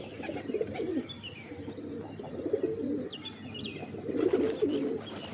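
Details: Several pigeons give deep, wavering coos in clusters, with a louder burst of cooing toward the end and scattered high, thin bird chirps above.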